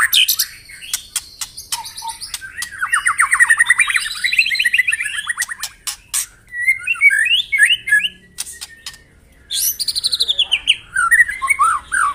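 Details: White-rumped shama in morning song meant to stir up rivals: loud sharp clicks and ticks mixed with fast warbling phrases, a twisting whistled passage, a short pause, then renewed chattering and high whistles.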